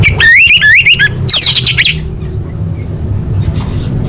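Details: Female orange-headed thrush calling to males, meant to lure silent birds into song: two seconds of rapid, repeated high chirping and twittering notes, then fading to low background rumble with a few faint distant chirps.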